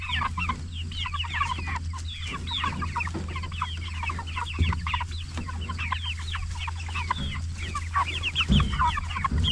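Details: Jumbo Cornish Cross broiler chickens, 44 days old, raised for meat: a flock giving dense, overlapping high chirps and short peeps without pause, over a steady low mechanical hum.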